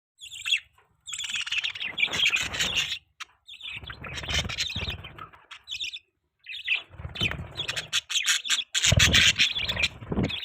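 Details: Budgerigars chirping and warbling in dense bursts of high, buzzy chatter with short gaps, some low thumping or handling noise beneath the calls.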